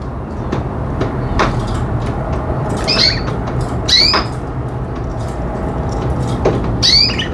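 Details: Pet budgies giving a few short, high, sweeping chirps, spaced about a second apart, over a constant low background hum.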